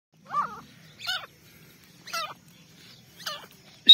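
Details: Partridge kept as a hunting decoy gives four short, separate harsh calls with buzzy, wavering notes, roughly one a second, over a faint low hum.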